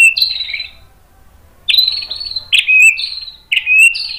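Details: White-rumped shama singing to stir other shamas: clear whistled notes sliding downward, delivered in short phrases about one second apart after an opening pause.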